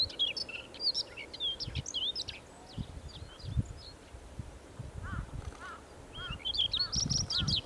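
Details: Siberian rubythroat song recorded July 2020, a rapid jumble of high warbles, sharp whistled slurs and chattering notes, followed by a run of short repeated lower chirps; light background rumble.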